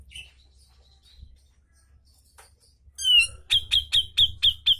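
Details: Cucak jenggot (grey-cheeked bulbul) in a masteran recording meant to prompt other birds to sing, 'ngepik' style: a slurred descending whistle followed by six loud, sharp, evenly spaced high chips, with a soft low hum beneath.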